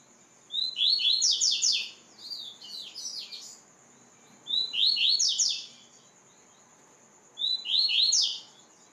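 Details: Training song of a white-throated seedeater: four bright phrases in under nine seconds, each opening with a whistle and tumbling into quick downslurred notes, one phrase softer and broken. A constant thin electronic whine runs throughout.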